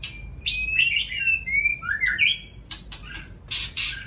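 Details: White-rumped shama singing in the morning: a run of clear, slurred whistles, some rising and some falling, followed by sharp clicking ticks and a brief harsh burst.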